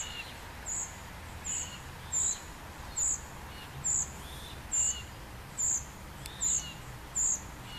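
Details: A juvenile common cuckoo, fed by a great reed warbler, repeats brief piercing high-pitched begging notes roughly every 0.7 seconds, steady and rhythmic, while softer lower chirps sound faintly behind.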